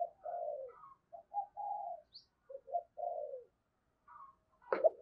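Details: Lure spotted dove calling wild doves with quiet, low, hollow coo notes in a loose series, then a short sharp knock at the end.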